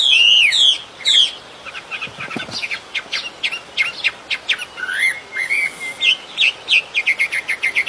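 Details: Birdsong outdoors in nature: opening whistled slurs, then a busy jumble of sharp high ticks and chirps. Brief rising whistles come in between. A low thump sounds near the middle.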